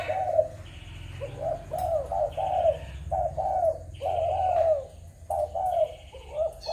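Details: Spotted dove from Malaysia, Thailand or Cambodia, 21 November 2022: paired and tripled hollow coos repeated in short groups, with a steady higher whistle-like tone recurring and a low rumble beneath.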